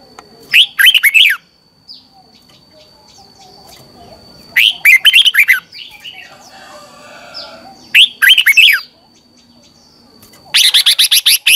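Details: Morning training song of a Red-whiskered bulbul, used to coach other birds: short bright warbled phrases about every four seconds, each a quick run of rising and falling notes, over a faint constant high hum.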